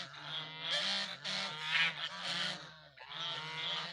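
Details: Several geese calling together, their harsh nasal honks running into one another in a near-continuous chorus with a short break near the end.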